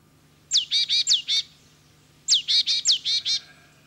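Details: Great tit (Parus major) in France giving two quick bursts, each a thin high downslurred note followed by four harsh, buzzy chattering notes, about two seconds apart; faint low hum behind.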